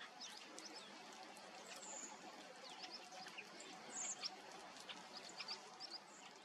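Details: Bramblings, among large numbers of migrant Bramblings and Chaffinches on Heligoland in early October 2021, give a busy scatter of short, high chirps and twitters like a calling flock, over steady background hiss.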